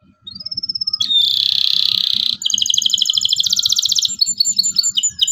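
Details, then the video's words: Local canary singing energetically in the excited 'cuit cuit' style, used to prompt young canaries to learn to sing: a rising whistle, then a loud buzzy sustained trill, a rapid rattling trill, and sharp chirps, over low soft rhythmic pulses. "KENARI LOKAL GACOR CUIT CUIT EMOSI, PANCINGAN LENARI PAUD AJAR BUNYI"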